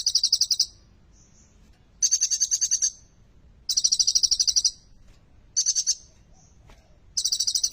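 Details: Lively olive-backed sunbird song rich in prinia-like phrases, meant to stimulate quiet sunbirds; shrill, rattling high trills delivered in separate bursts, with faint soft notes in the pauses.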